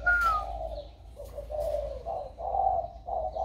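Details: Spotted dove, recorded 16 February 2020 as its warm voice emerges: full rounded coos rising and fading in a rolling sequence, opening with a brief descending whistle, faint chirps behind.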